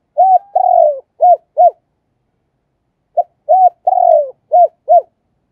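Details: Caged decoy spotted dove repeats its calling phrase twice, about three seconds apart: soft low coos, with a long rolling descending note in the middle and two short arched coos closing each phrase.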